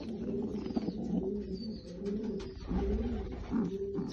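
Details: Low, rolling coos from Lotan tumbler pigeons repeat in short, pulsing phrases about every second over a quiet background hum.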